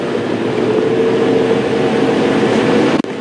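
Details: A steady mechanical rumble with a droning tone, like a vehicle or train running, cut by a brief break near the end; no animal calls.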